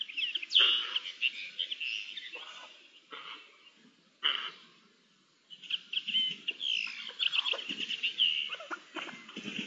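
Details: Multiple Eurasian jays conversing on 10 May 2021, with a busy mix of grating rasps, squeaks and clicky chatter. A short lull in the middle is followed by dense, overlapping scratchy notes.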